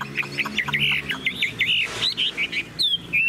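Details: Tame caged Chinese hwamei singing: a quick run of short high whistled notes, then a long slurred whistle and a rising note near the end, with a man talking underneath.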